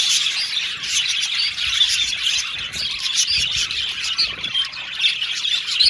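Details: A flock of happy Australian budgies singing: steady high-pitched twittering, scratchy chatter and brief rising and falling whistles layered together without a break.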